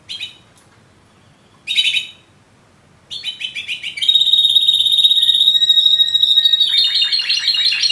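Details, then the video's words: A Yemen linnet gives two short chirpy bursts separated by silence, then launches into continuous high trilling with a clear sustained whistle running over it, ending in lower rapid buzzy notes. "yemen canary"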